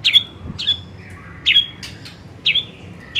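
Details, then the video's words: White-rumped shama in the afternoon lure recording giving sharp, high, downslurred notes about once a second, with a faint lower whistle between. "Pancingan SORE HARI efektif jadikan MURAI jadi LEBIH GACOR dan NGEPLONG"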